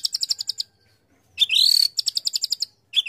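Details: White-rumped shama (murai batu) delivering a judge-pleasing fill-in song: a fast series of bright, high chips, a pause, then a loud rich warbled phrase, followed by more rapid chip runs and a final note.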